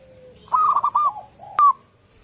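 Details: Local zebra dove singing as a morning lure for other doves: one clear, rapid, rolling phrase of quick coo notes, then a short, bright, higher single note. The background is quiet.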